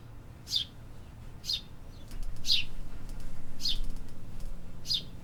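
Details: Urban birds chirping: five bright, high chip notes about one second apart. Between them, a louder low rumble of city noise swells in the middle and then fades.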